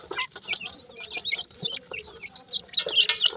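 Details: Young grey francolin chicks give quick, high, bent peeps in rapid succession, several birds overlapping. A louder, sharper chirp cluster comes near the end, with light clicks throughout.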